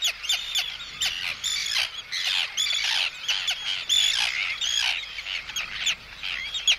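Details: Arctic terns giving harsh anxiety and threat calls at an intruder, chick calls included: rapid, grating squawks tumbling over one another in quick bursts, many birds at once, loud and high-pitched throughout.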